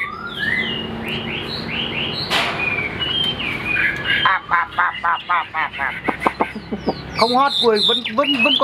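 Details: Chinese Hwamei kept tame in a cage, its voice called very good: sweet slurred whistles rise in a series, then break into a fast stuttering burst of clipped notes and twisting whistled phrases.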